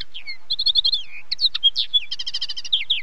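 A common linnet sings a quick, varied twittering song of bright trills, short buzzy notes and rapid repeated chirps, high-pitched and continuous.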